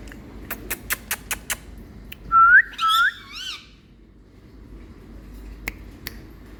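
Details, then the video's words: Pet Indian parrot in India, showing love to its owner, utters two loud rising whistles and a softer buzzy note after a run of quick tapping clicks, then near silence. "Indian Parrot kaku🥀Showing Love🍃To Me Super♥️Cute Talking Bird"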